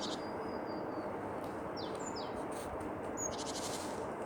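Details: Tits singing: a thin, high, drawn-out whistle, then short downward-slurred notes and a brief buzzy rattle near the end, over a steady background hiss.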